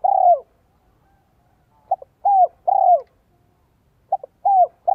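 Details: Cooing of a spotted dove kept as a lure for wild doves in Vietnam, voice style 'giọng son 1 cốt lỡ': warm falling coos alternating with paired short notes, grouped phrases with gaps, nothing else audible.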